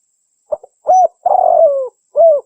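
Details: Local spotted dove (Spilopelia chinensis) giving a low, mellow cooing phrase: two soft short notes, then a longer rolling coo and a final clipped coo; the recording is meant for luring and training doves.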